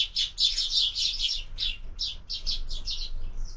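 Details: Sparrows at a window-mounted feeder in the morning, fed year-round, give dense bursts of bright, high chirps in quick overlapping runs, barely pausing through the stretch.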